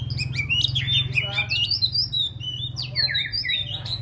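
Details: White-rumped shama in contest training, fourth season: rapid, rich whistled song with rising and falling slurred phrases and quick trills, against a constant low droning hum.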